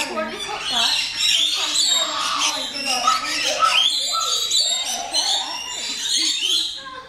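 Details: Rainbow lorikeets (Trichoglossus moluccanus) being fed close up at West Midlands Safari Park chatter continuously with shrill, screechy overlapping squawks and rasping notes at a fast pace; a human voice is faintly heard.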